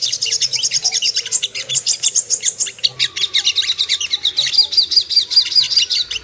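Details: Ruby-cheeked sunbird, known locally as sogok ontong, as a lure to make birds aroused and aggressive: busy high-pitched chattering in quick pulses, ending in a run of evenly spaced thin piping notes.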